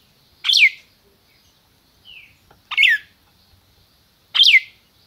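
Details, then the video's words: Red-crested cardinal kept in captivity in Brazil, calling in the 'máquina' style: three loud, sharp downslurred notes spaced about two seconds apart, with one soft short whistle between them. "Cardeal MAQUINA chamando e cantando"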